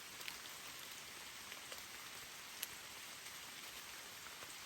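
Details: Steady rain hissing on surfaces with scattered sharp drip ticks, with no animal voice.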